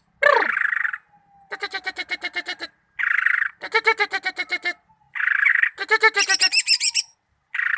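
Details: Greater green leafbird singing in loud alternating phrases: buzzy harsh bursts and rapid rattling trills of stacked notes, each phrase about a second long, sometimes linked by a thin steady whistle.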